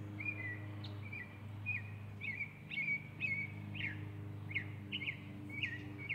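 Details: Northern mockingbird singing on October 16: short chirpy, sharply slurred phrases, many repeated two or three times, delivered about twice a second, over a steady low hum.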